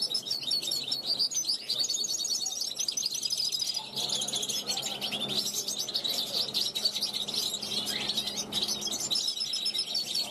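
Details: European goldfinch youngster of 2021 on a balcony, rehearsing and calling to wild passers-by of its kind; continuous fast twittering with bell-like notes and a brief rising whistle near the end.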